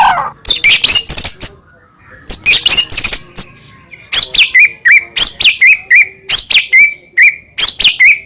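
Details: White-rumped shama in morning song used as a lure for pet shamas: sharp, crackling bursts followed by a steady rhythm of quick high notes, each ending in a short whistled tone, repeated about twice per second.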